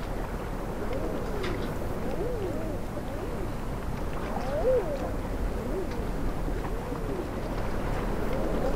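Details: King eiders at Marstrand, Bohuslän, Sweden, on 28 March 2010, give soft, dove-like cooing calls that rise and fall in overlapping phrases from several birds, over a steady low rumble of wind or water.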